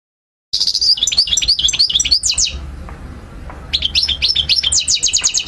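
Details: European goldfinch song played for young birds to learn from: bright twittering phrases of quick upslurred and downslurred notes with a few buzzy trills, a short near-silent pause midway, then renewed rapid twitters.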